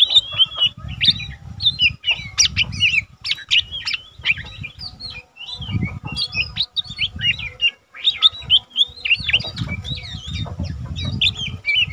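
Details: Lesser green leafbird, a young cage bird already singing steadily, used to train others: a long, continuous, dense chatter of fast varied chirps, whistles and buzzes, with bursts of low rumbling noise underneath.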